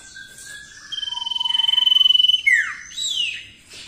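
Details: Common iora singing actively, its song suitable for tutoring other birds: clear sustained whistles, a fast buzzy trill of rapidly repeated notes, then sharp downward-sweeping whistles.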